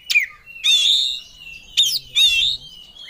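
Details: Oriental magpie-robin singing in an agitated 'ngobra' state, fully worked up and seeking a rival: sharp high whistled notes alternate with longer rich warbled phrases, four bursts in three seconds separated by short pauses.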